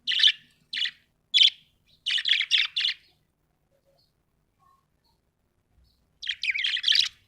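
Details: Budgerigar, described as happy, chirping: bursts of bright, scratchy chirps, single notes then a quick run of four, a pause, and a final cluster of rapid chatter; quiet background.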